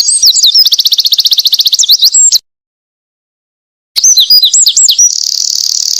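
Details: Winter wren in lively song, used as a training recording for small birds: long rapid cascade of high trilled notes and twisting whistles, a silent gap, then another burst ending in a fast buzzy trill.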